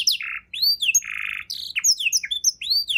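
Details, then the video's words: Canary 'isian' song used to tutor other birds; arched whistled sweeps alternate with two buzzy rolled notes, one short and one lasting about half a second, in a lively, quick sequence. "kenari isian mewah‼️sangat cocok untuk masteran burung abda"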